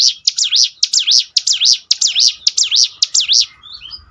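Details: Bar-winged prinia singing loudly and evenly, a clear chain of high buzzy dipping notes, about two per second, ending in a few short thin whistles. The recording is used to train birds to sing.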